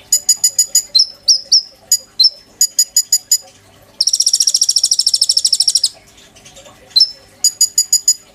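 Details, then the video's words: Oriental magpie-robin in full song with borrowed phrases, used as a master song for training kolibri ninja birds: clusters of sharp repeated notes and slurred whistles frame a two-second harsh, buzzy high trill. "PANCINGAN KONIN GACOR FULL NEMBAK ISIAN TONJOLAN MEWAH, COCOK BUAT MASTERAN KOLIBRI NINJA BAHAN"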